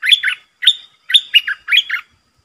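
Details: Red-eyed bulbul kept as a decoy bird, singing at wild birds: four quick bubbly warbled phrases, each a pair of liquid notes, repeated about every half second.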